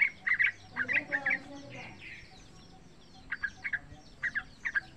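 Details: Three-month-old Yellow-vented bulbul in wild style, a lure sound for training other young birds: quick clusters of sharp chirps, a softer warbled stretch, then spaced pairs of bright notes.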